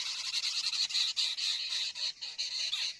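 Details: Common myna (Acridotheres tristis) perched at its tree-hollow nest, holding a large green insect in its beak, apparently to feed its young. It gives a harsh, grating stream of high, rasping squawks in quick bursts several times a second.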